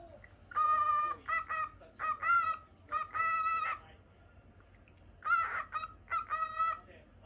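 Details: Indoor pet lutino cockatiel produces strong nasal chirps, some drawn out and flat, others short and clipped, grouped in two bursts with a second-long lull between them.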